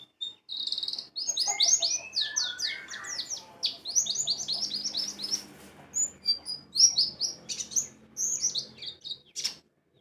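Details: Continuous high white-eye song as a lure for ngalas and wiksar singing: strings of fast, sharp whistled chirps in tight bursts, nearly unbroken for ten seconds.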